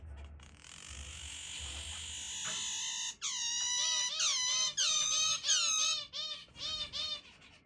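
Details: Pet zebra finch pair on the back of a hand breaking into a sudden screaming song: a long strained, drawn-out squeal, then a rapid string of sharp, nasal stacked notes repeated in quick bursts.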